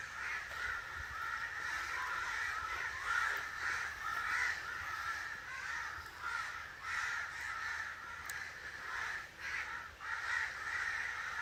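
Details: Long run of harsh, overlapping caws from an angry crow, steady and loud with brief dips between bursts.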